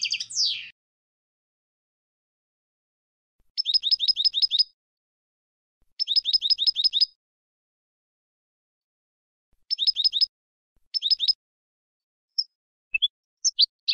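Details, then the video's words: Goldfinch song from a recording meant for goldfinches: short bursts of rapid, evenly repeated high notes separated by silent gaps, with a few scattered single chirps near the end. "Goldfinch Song CD - Clear Birdsong for Goldfinches"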